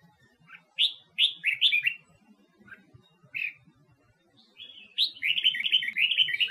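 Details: Red-whiskered bulbul of Huế type, Vietnam, a wild-caught bird kept to push others into singing: a few loud slurred chirps and single whistles, then a long quick warbling run at the end.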